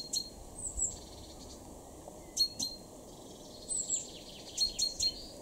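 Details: A Great tit in a garden in Weener, East Frisia, northwest Germany, in May 2024 gives thin, high, clear notes in short pairs. They come in loose bursts every second or so over a steady hum of background noise.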